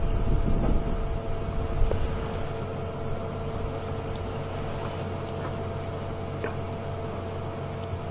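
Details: A loud vehicle drone with steady humming tones and occasional clicks and knocks, and no animal calls.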